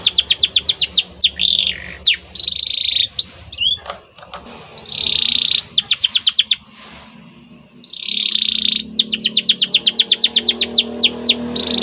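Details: White canary in full training song, fast repeated chirped trills interleaved with buzzy rolling phrases and falling whistles, with short quiet gaps between bursts.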